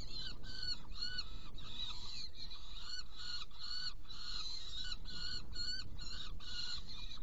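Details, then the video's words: Saker falcon feeding two young after a prey delivery, Hungary, 16 June 2018: fast run of grating, nasal screeches with uneven spacing, some notes stretched longer, over steady low-frequency noise. "Saker Falcon Hungary 2018-06-16 Prey delivery and feeding two Young ones"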